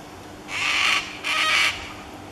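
Lesser sulphur-crested cockatoo giving two harsh, rasping screeches, each about half a second long, with a short gap between; a faint background hum.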